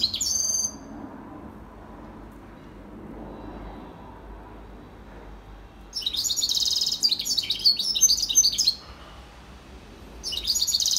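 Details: Song of a serin mule (European serin hybrid), recorded in 2021. Bursts of fast, high, jingling, squeaky twitters at the start, from about six to nine seconds, and again at the end, with quiet pauses between.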